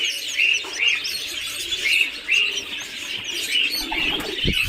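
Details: Muscovy duck chicks on a farm in Kamrup, Assam, producing a busy run of high peeps, several per second, over a constant noisy background with rustling and a thump toward the end.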